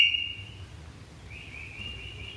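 Sooty-headed bulbul giving two clear, high whistled notes, the first steady and short, the second longer and gently rising; faint background hiss.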